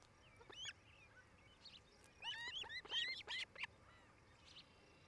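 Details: Nest-camera recording of an osprey couple at their nest in Charlo, Montana, late afternoon on 8 July 2018: scattered thin whistles, then a dense run of high, slurred chirps around the middle before fading to background hiss.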